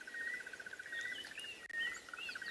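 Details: A Crested Barbet at sunrise in Djuma Private Game Reserve, South Africa, in late November gives a long, steady, rapid chirring trill, like a muffled alarm clock, in the background while other birds whistle and chatter higher up.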